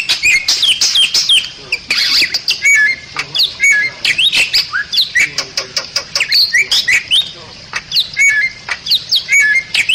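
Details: Bali myna, a rare bird protected in Bali, in a busy song of sharp chirps, short whistled slurs and rapid clicking notes, repeated without pause and with no other clear sounds.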